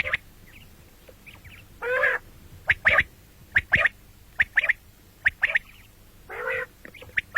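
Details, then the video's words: Common quail calls recorded morning and night: two harsh buzzy rasps framing a series of quick, sharp double and triple notes. "бедана batair ki awaz quil sound beautiful morning and night بٹیروں کی سپیشل زبردست آواز صبح رات"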